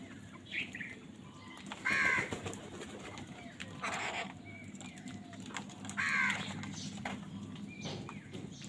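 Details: Crows contesting food give two harsh caws about four seconds apart, with a rushing burst like flapping wings between them and a steady low rumble throughout.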